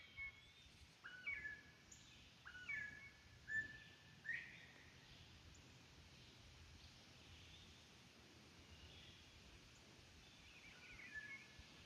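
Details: Captive northern bobwhite quail, raised by their owner inside an old house, give a burst of short clear whistled notes over about four seconds, some rising and some falling, then a faint note near the end, against steady background hiss.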